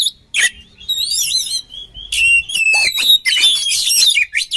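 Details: Oriental magpie-robin combination song for training birds, with sweeping warbled whistles and rich overlapping buzzy phrases, growing louder and denser in the second half.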